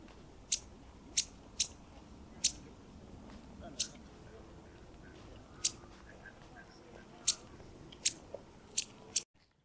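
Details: Cetti's warbler alarm call at Elmley Nature Reserve, Kent, 12 October 2025: hard, dry ticking, about eleven sharp clicks at uneven intervals over ten seconds, against a quiet background.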